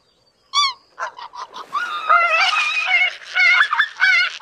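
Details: Greater white-fronted geese calling together. A single clear yelp is followed by several softer notes, then a dense, overlapping chorus of high, laughing honks that builds and continues without pause.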